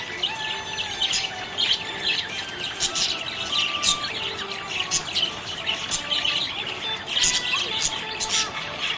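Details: Continuous chatter of happy budgies, overlapping high twittering and warbled notes with soft scratchy chirps, steady and unbroken throughout, several birds together.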